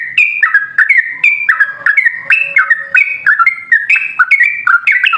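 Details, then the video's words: Yellow-vented bulbul singing clear, liquid whistled notes in short slurred phrases, stepping between higher and lower pitches, played to draw other bulbuls into song. "Pancingan Trucukan PALING AMPUH! Burung Langsung Ngalas & Nyaut Bunyi Gacor"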